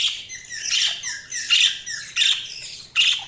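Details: Budgerigars chirping loudly at close range, bursts of scratchy warbling and sharp squeaks rising and falling in uneven phrases about every half second.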